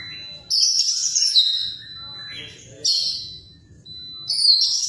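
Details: White-rumped shama, described as singing actively, giving loud, high, rushing phrases in three bursts separated by quiet pauses, with a steady faint tone and a low hum in the background.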